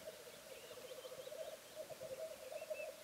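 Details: A male black grouse displaying at a lek on a bog gives a steady, low, dove-like bubbling that rolls on without pause, with faint higher whistles from other birds.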